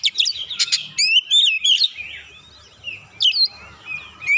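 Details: Kacer singing with mounting agitation to bring out its 'isian' repertoire, used as a lure: a chattering opening of sharp clicks and whistles, then looping slurred phrases and a final quick burst, with faint low rumbling underneath.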